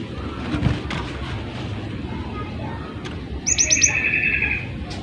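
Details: Cinereous tit in lively singing form, used as a tutor to get other birds singing: a brief fast trill and a few sharp, high, clipped notes near the end, after a stretch of faint background noise and low rumble.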